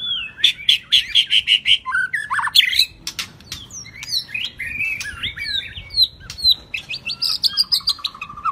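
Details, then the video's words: White-rumped shama with the shrimp-shaped tail singing 'rít thuốc lào': a rapid repeated chattering phrase, then varied high whistles, twists and clicks, ending on a high warble and a low, even trill. "chòe lửa đuôi tôm hót rít thuốc lào"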